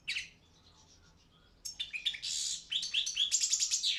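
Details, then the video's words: Balkan European goldfinch (Carduelis carduelis balcanica) singing in a Serbian-run internet world song championship: one short twitter, a pause, then a rapid liquid chatter of high notes building into dense trilled phrases. "Pesma štiglića 006/23 World Championship in Goldfinch Song"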